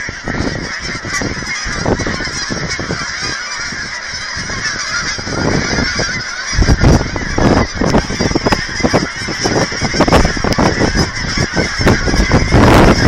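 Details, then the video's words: Thousands of geese at an aquatic center in Hereford, Texas, being fed by visitors, honk constantly, harsh overlapping calls rising into a dense, clamorous din with no pauses. "Geese by the Thousands"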